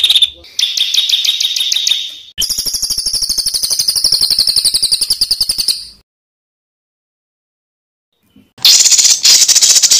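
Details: Songbird on a master recording used to train competition birds: high rapid rattling trills, a fast run of buzzy notes, a few seconds of silence, then more dense high chattering.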